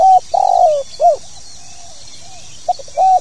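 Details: Spotted dove (tekukur) giving the 'pokal tanggung' call, used to get new birds singing: a short coo, a long wavering coo sliding downward, a brief rounded note, then a pause, two clipped notes and another coo over steady hiss.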